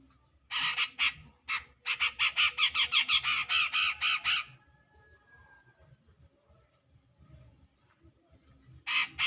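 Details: Grey-cheeked bulbul in full clear voice, provoking a rival: loud harsh squawking notes in rapid bursts, about a dozen rasping pulses over four seconds, a long pause with low hum, then another short burst.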